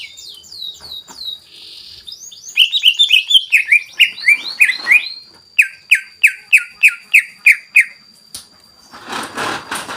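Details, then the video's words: Greater green leafbird song played to stir other leafbirds: high downward sweeps, then a fast jumble of chirps and falling whistles, a regular run of clipped notes, and a burst of rough noise near the end. "CUCAK IJO SUPER GACOR FULL BONGKAR ISIAN BUAT PANCINGAN DAN MENAIKAN EMOSI"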